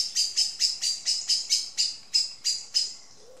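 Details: Common Blackbird, angry, scolds two unconcerned juvenile Tawny Owls with a fast series of sharp, high, metallic chinks, about three or four each second, in a quiet setting.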